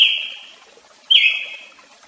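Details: Brazilian tanager (tiê-sangue) giving two sharp, bright notes about a second apart, each starting with a quick high onset and trailing off in a level, fading tone.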